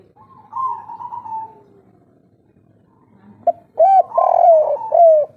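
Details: Old wild local spotted dove from an Indonesian forest, kuk 3 pattern: a soft wavering hum first, silence, then a short clipped note, an arched coo, a broad blurred note and a closing descending coo.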